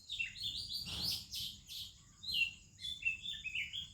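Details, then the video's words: Indian Oriental magpie-robin in morning song: a burst of rich, high warbled notes, a pause, then separate sweet whistles rising and falling, among other birds' chirping. "30 Minutes a ROBIN Chirping in the Morning"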